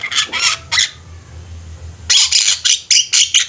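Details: Javan mynas in a group, energetic and vocal, recorded to train other birds. Three scratchy, noisy calls sound, then a short pause, then a fast run of rasping squawks repeated about four times a second.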